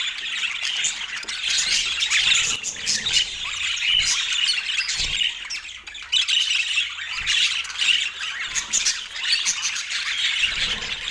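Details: Parakeet kept as a pet, calling while eating its morning meal on an autumn day; busy high-pitched warbling chatter with scratchy squawks, swelling and dipping in loudness, plus a few soft low thumps.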